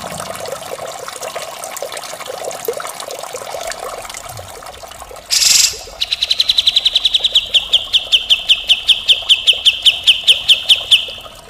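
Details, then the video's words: Grey-cheeked bulbul singing, cucak jenggot tutor recording in rough mbeset style. Hissy background, a sudden noise burst, then a steady series of sharp repeated notes, several per second, continuing for about five seconds. "masteran cucak jenggot gacor full mbeset kasar"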